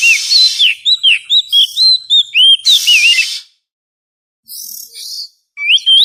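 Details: Oriental magpie-robin trapping lure call: a string of clear, quick whistled notes, several rising then dipping, about four per second, broken by hissy rasps, a silent gap, then a soft rasp and a final rising whistle.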